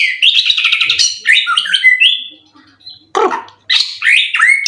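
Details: Song of a caged white-rumped shama kept for song contests in Indonesia, said to be in 90% condition and full of learned song material. High, fast, bright whistles and trills are broken by a short pause, then a burst of rasping notes and rising whistles.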